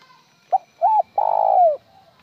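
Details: Spotted dove phrase without a tail note: a brief soft note, an arched second note, then a drawn-out burry coo that slides down as it ends. The background is calm.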